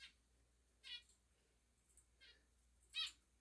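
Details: Male zebra finch kept as a pet indoors, calling back to its owner: three short nasal, buzzy beeps spaced about a second apart, the last loudest, in a quiet room.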